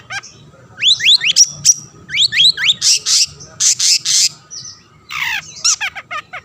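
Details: Long-tailed shrike singing to draw rivals into song: rising whistled slurs in quick pairs, followed by loud harsh grating bursts and a final cluster of descending whistled notes.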